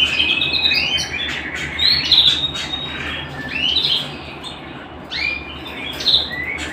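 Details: Canary singing at home: quick varied phrases of sliding whistles and buzzy trills, loud bursts separated by short quieter gaps, with a steady low hum behind.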